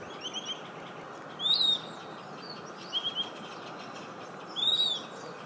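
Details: A very vocal Piratic Flycatcher at Thaimacu Lodge, southern Amazonia, Brazil, 2018, gives three high, thin, slurred whistled calls about every one and a half seconds, over steady insect hiss.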